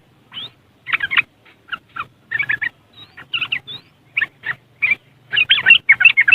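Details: Yellow-vented bulbul, West Java, Indonesia, in riwikan style, captured on an Android phone: scattered rasping, warbling notes that grow denser and louder toward the end, with a faint low hum.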